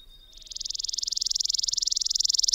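Chipping sparrow song: a dry, rapid, even trill of high chips, about twenty per second, held steady for over two seconds after a brief thin note.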